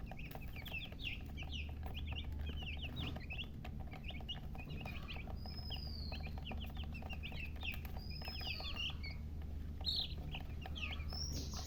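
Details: Continuous chirping of baby chicks, many overlapping short high peeps sliding downward, occasional long whistled calls, low hum in the background.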